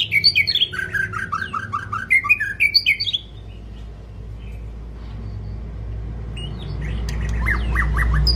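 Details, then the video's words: White-rumped shama delivering a fast run of descending twittering notes for three seconds, then quiet, followed by a few brief notes over rising low rumbling noise. "chòe lửa hót giọng dài"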